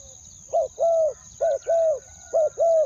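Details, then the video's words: Spotted dove used as a caller to attract wild doves, giving three pairs of soft coos, a short note followed by a longer drawn-out one, over a constant thin high-pitched hum. "เสียงนกเขาใหญ่ ต่อ ขันเรียก คูอ่าง 2คำ"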